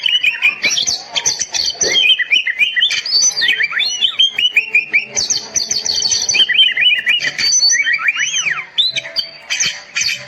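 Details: Oriental magpie-robin song used as a tutor recording to get silent birds singing and excited: a continuous rich medley of sweet whistles, slurred rising and falling notes, and scratchy chatter in quick, varied phrases with only brief pauses.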